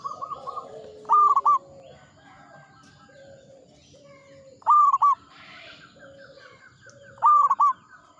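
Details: Local zebra dove singing vigorously in the Mataram 'ngepat' rhythm style: three loud cooing phrases near the same pitch, each a quick burst of linked notes, spaced a few seconds apart, over softer lower hoots and faint background chatter.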